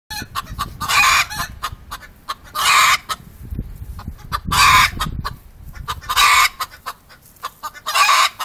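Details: Rooster calling while a hen lays an egg: loud, harsh, broad clucking bursts repeated about every one and a half seconds, with softer clicks and rustling between them.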